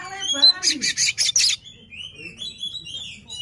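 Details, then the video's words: Oriental magpie-robin displaying with its tail opened to provoke an opponent: a run of four loud rasping buzzes, then a thin twittering string of high whistles. "KACER NGEPLAY BUKA EKOR BIKIN LAWAN TAMBAH EMOSI"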